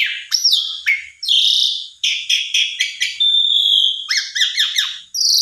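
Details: Asian pied starling singing loudly to spur a quiet bird into song; loud whistled phrases separated by brief pauses, rasping rhythmic pulses, a sustained level whistle, and quick rising chirps near the end.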